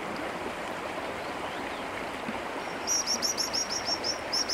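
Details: White-throated dippers nesting in Taganay National Park in late May, adults feeding five chicks by a river: after a rushing stream roar, a fast run of thin, high, sharp notes repeated about three times a second.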